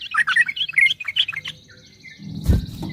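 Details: Yellow-vented bulbul in fast 'ropel' singing: a quick run of tumbling, chirpy notes for the first second and a half, fading out, then a dull thump and low rumble.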